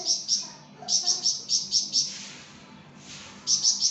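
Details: Flamboyan bird singing for songbird tutoring: an even series of high, clear chirps about three per second, a short hissing pause, then another brief run of chirps.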